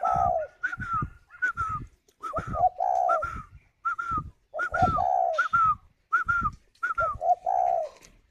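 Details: Spotted dove kept in a cage in Ba Vì, Hanoi, Vietnam, cooing steadily while incubating. A low hollow note is followed by clearer falling notes, repeated about every second with brief gaps.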